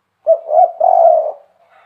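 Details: Spotted dove producing a single low coo phrase: a short note, a rising middle note, then a long steady final note, followed by a faint soft trailing sound.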